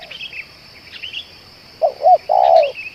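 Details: Spotted dove, said to call for two hours and to work well as a lure, ends the clip with two short coos and a long vibrating coo, after faint twittering of other birds over a continuous high-pitched hum.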